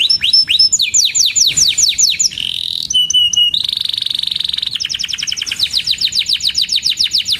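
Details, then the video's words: Canary singing a varied sequence of sweeping whistled notes, a brief buzzy trill, clipped high notes and a long rattling roll, ending in rapid descending chirps. "Burung Kenari GACOR Cuit Cuit EMOSI‼️Pancingan Kenari Paud Belajar Bunyi"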